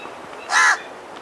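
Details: House crow of human settlements, recorded in an urban or rural setting, giving one short, harsh, nasal caw of about a quarter second over a quiet background.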